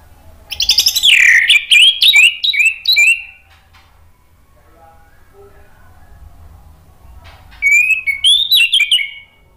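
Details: A male orange-headed thrush sings spontaneously in reply: two bursts of rich, varied whistled phrases, sweeping and warbling high, separated by a few seconds of quiet with faint low hum.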